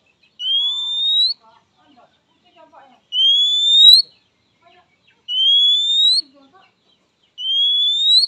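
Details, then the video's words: Oriental magpie-robin summoning a rival with its typical call, which males and females are said to answer quickly; four sustained, gently rising whistles spaced two to three seconds apart, with faint scattered sounds behind. "Suara Khas Kacer memanggil Lawan|| Kacer Jantan dan Betina cepat Respon"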